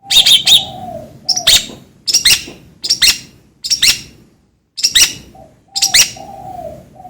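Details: Long-tailed shrike giving spaced bursts of sharp, scratchy high notes, each about a second apart. A soft low mellow tone recurs underneath, and there is a short pause near the middle.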